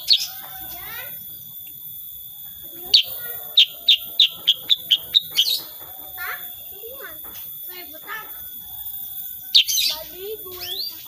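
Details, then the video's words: Unedited recording of a sooty-headed bulbul delivering a 'tembakan' shooting burst: a quick run of about eight piercing high chips, surrounded by softer chattering notes, a constant high electronic hum and some voices. "KICAUAN KUTILANG SUTRA SUPER GACOR"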